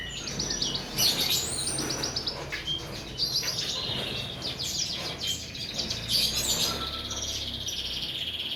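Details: Masteran tutor song of several birds for training cage birds: rapid high trills and chirped phrases overlapping, irregular and continuous, over a low rumbling hum.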